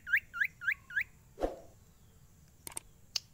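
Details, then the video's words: Caged Ashy Tailorbird (sirtu) in full song, said to stay unstressed wherever it is carried: four quick upswept chirps at the start, then a low thud, a gap and a few faint clicks over a soft background hum. "SIRTU GACOR ANTI STRES !! FULL VARIASI SUARA CIPOW GACOR DOR"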